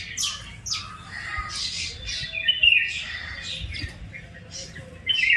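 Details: Chirping birds in a village, giving sharp, squawky high notes and quick chirps in irregular bursts, the loudest near the end, over low background noise.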